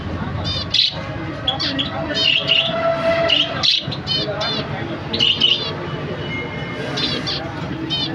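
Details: A zebra finch family, a pair with two babies, gives short, nasal, buzzy calls and high chirps over a constant background hum.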